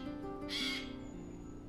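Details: A Eurasian jay in Hatfield Forest, Essex, UK, gives one harsh, rasping screech of about a third of a second over a steady low hum. It is an alarm call, suggesting a possible predator nearby.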